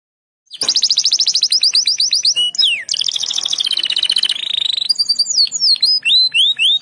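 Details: Canary singing 'gacor', bursting into full song: a long run of fast repeated high notes, then a rolling buzzy trill and a series of swept whistled notes, loud and continuous with no other sounds.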